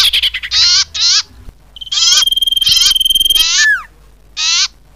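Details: Common iora (Aegithina tiphia) lure call: harsh, buzzy churring bursts in short runs, with a long, thin, level whistle and a quick down-slurred note between them.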